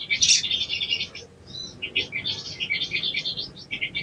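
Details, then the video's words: Training recording of sogon ijoan song meant to make birds sing fast: a loud opening chirp burst, then steady, rapid high twittering phrases with short gaps, over soft low background noise. "TERAPI BAHAN SOGON IJOAN CEPAT BUNYI"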